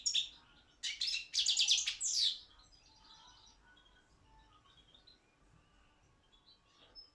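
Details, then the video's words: Balkan European goldfinch song recorded for a world championship held online: brief opening chirps, then a rapid metallic twittering phrase for over a second, followed by faint scattered soft notes. "Pesma štiglića 006/23 World Championship in Goldfinch Song"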